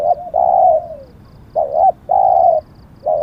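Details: Decoy spotted dove in Thailand, used to lure wild doves, with prized auspicious plumage markings. Mellow low coos: long level notes with a falling tail, alternating with short wavering notes, clear against a quiet background.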